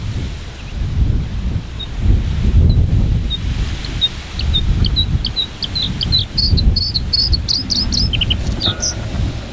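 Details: White-spotted bluethroat singing on giant hogweed in its breeding area at Ezumakeeg, Frisian Lauwersmeer: sparse thin notes that speed up into a fast, accelerating run of ticking phrases, then buzzy trills, all under heavy rumbling wind.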